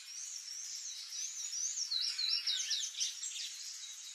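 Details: Wild palm tanager (Thraupis palmarum) in Brazil delivering a steady stream of high, thin, wavering whistles that run into a quick jumble of squeaky twittered notes, then settle back into softer sliding tones.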